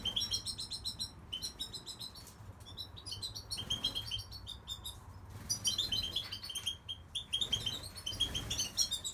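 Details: A goldfinch twitters continuously in rapid high chirps and short trilled bursts, set against a low droning background.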